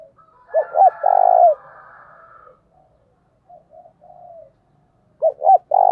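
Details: Spotted dove coo meant to lure wild birds: two short clipped notes followed by a longer mellow coo, a faint murmuring coo trailing after, then the phrase starting again.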